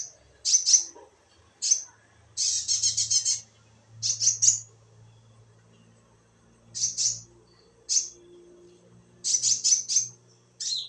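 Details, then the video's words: Konin bird calling at night: sharp, high, hissy bursts, some long rasping runs, uneven spacing, with a faint low hum beneath. "Suara konin di malam hari"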